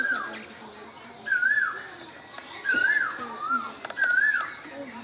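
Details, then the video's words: Spring koel in Bangladesh giving three loud whistled notes, each a short rising-then-falling wave, spaced just over a second apart, faint high twittering in the background. "বসন্তের কোকিল, কোকিলের ডাক"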